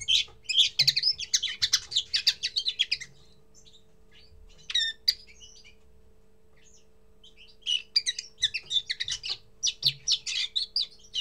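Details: Common linnet giving its first song: bursts of rapid twittering and chattering notes with twangy trills, pausing a few seconds midway with scattered clicks before resuming the lively warble; low constant hum in the background.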